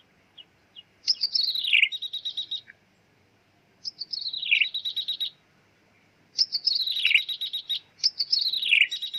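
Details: Bar-winged prinia calling as a trapping lure: high, wiry notes dropping in pitch into a buzzy trill, in three bouts of several phrases with brief silences between them.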